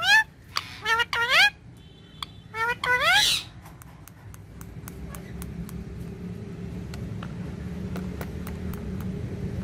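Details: Green ringneck parrot talking with a mirror in Urdu and Hindi: a few seconds of rapid, rising, harmonic chirps in two bursts, then only low steady background hum with faint clicks.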